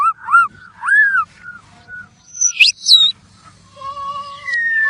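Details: White-rumped shama (murai batu) song used as a lure to set birds singing: loud varied whistles with arched, slurred notes, brief sharp high bursts, then long steady whistled tones at two pitches.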